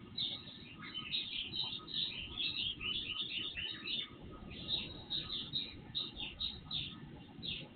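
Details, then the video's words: Several birds singing before sunrise, captured on an IP surveillance camera: a dense chorus of high chirps and short twittering notes overlapping continuously, over a steady low background hiss. "Night Birds Song"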